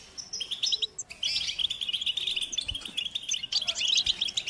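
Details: Stimulating goldfinch chatter and mating calls: a continuous rapid twittering of high, tinkling, slightly buzzy notes, running in bursts that start and stop abruptly, with a few soft low knocks in the background.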